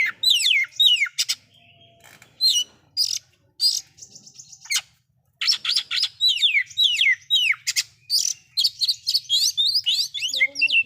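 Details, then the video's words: Oriental magpie-robin singing a loud, varied song said to rouse other magpie-robins: rapid bright whistles with fast downward sweeps and sharp chips in dense bursts, broken by short gaps, over a steady low hum. "KACER SUARA KERAS ISIAN BIKIN BURUNG KACER LAIN'JADI NAIK EMOSINYA"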